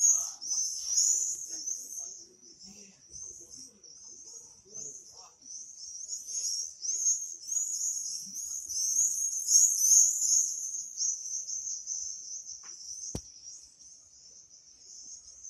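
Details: Singing swifts, several birds calling: continuous shrill, buzzy, high screams that rise and fall in loudness in rapid overlapping bursts, with one sharp click near the end.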